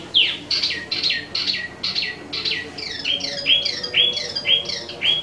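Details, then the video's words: Energetic singing from an imported wambi mini: a steady string of sharp whistled notes roughly twice a second, each rising then dropping, later settling into repeated clear upward-sweeping whistles. "Wambi Mini Asli Impor/Tieu Mi Gacor 12 Menit Non Stop"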